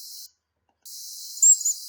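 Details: A Black-capped Chickadee, reacting to a goshawk preying on a dove near a farmhouse, gives a doubled alarm sequence of two very high, thin, drawn-out notes in quick succession, heavily amplified, over a steady hiss.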